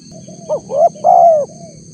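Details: Spotted dove call for luring wild doves: one phrase of two brief rising coos and a longer sustained falling coo, with faint softer coos before it and a constant high-pitched hum.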